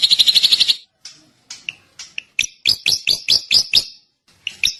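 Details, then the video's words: Drongo singing: a fast, even trill of high notes for just under a second, then a broken series of sharp, clipped chirps and short whistled notes, several in a quick run near the end. "kicau burung srigunting"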